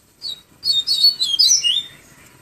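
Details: 'Tui tui viviti flautado' song of a yellow-bellied seedeater, Pero Vaz, Salvador, Bahia: a short introductory whistle, then a tumbling run of clear high notes that drops lower toward the end.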